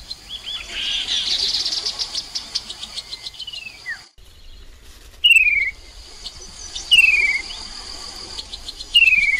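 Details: Chestnut-capped babbler lure call recorded beside the Mekong River in Nakhon Phanom, Thailand, in 2021: a buzzy chattering burst, then three clear descending slurred whistles spaced about two seconds apart over constant high insect buzzing.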